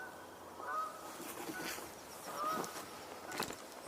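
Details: Several unseen geese fly in behind and pass by along a trail on 29 October 2022, giving distant nasal, slightly rising honks roughly one a second, with soft rustling and outdoor background noise.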